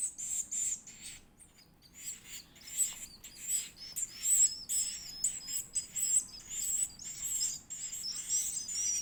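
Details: Begging of an edible-nest swiftlet chick during feeding: very high, squeaky twittering in quick pulsed bursts, briefly easing then swelling again into dense, rapid chirping.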